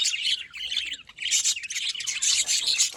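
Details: Several budgerigars chattering together, a continuous stream of scratchy, high twittering notes with a short lull near the middle before the busy warbling resumes.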